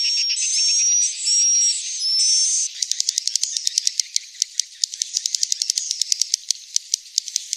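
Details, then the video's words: Swiftlet sounds: three long, high, buzzy chirps carrying short whistled slurs, followed by a long series of dry, irregular clicks like a rattle. "SUARA BURUNG WALET"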